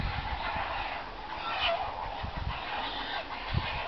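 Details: Young herons at a nesting colony atop alder trees at a ravine edge in Cowichan Bay village, June 18, squabbling in swaying nests over food brought by parents; harsh, raspy, broadband squawks overlap in a continuous clamour with low thumps.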